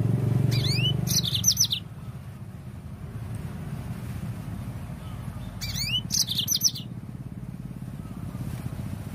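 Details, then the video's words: Yellow-fronted canary singing, played to encourage birds to sing. Two longer bursts of high sweeping notes and rapid chirps come about five seconds apart, with heavy low rumbling noise throughout. "Suara pancingan Burung Mozambik AGAR LANGSUNG GACOR"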